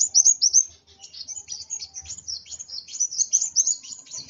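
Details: Excited kolibri wulung sunbird pouring out a rapid stream of thin, high chirps that run almost without pause, the notes sweeping and tumbling over one another.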